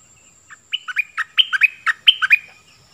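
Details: Cream-vented bulbul used as a decoy, giving a jaunty phrase of some ten liquid notes in quick pairs, each stepping from a higher to a lower pitch, with a faint high background tone.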